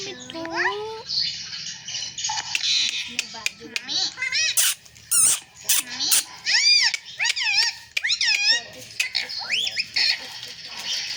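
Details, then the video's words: Indoor talking parrot saying sita-ram and jay shree ram; a long sequence of high, bent, whistled speech syllables and clicks arrives in short bursts with brief pauses, plus an opening low gliding tone and faint background hiss. "Parrot talking sita-ram🚩parrot talking jay shree ram"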